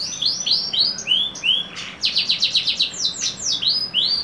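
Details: Crossbred YS x SF canary singing a string of separate downward-sliding whistles, then a fast pulsing trill and more descending swoops.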